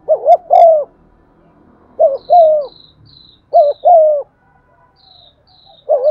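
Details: Spotted dove as a lure bird, cooing to stir other doves: three to four repeated phrases of a short paired coo and a longer coo, with faint high chirps of another bird in between.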